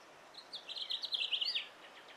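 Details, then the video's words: Male house finch singing in a yard: one rapid, jumbled warble of bright, high, slurred notes, rising and falling, about a second long. "House Finch singing in my yard."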